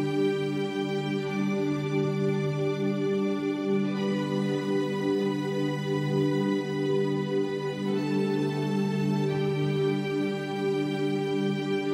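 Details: Soft, sustained instrumental music with long held tones plays throughout, and no animal sounds are heard.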